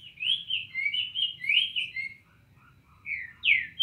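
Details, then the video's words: Cinnamon tanagers singing: a run of bright, slurred whistled phrases that rise and fall, a short pause, then two more sharp rising notes. "Bicos de Veludo dando show"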